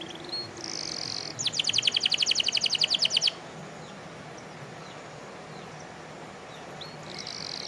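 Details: Canary singing lustily, locally called kenari gacor: a fast, buzzy trill of about thirteen repeated notes lasting some two seconds, with brief high whistled notes before and after, over steady background noise.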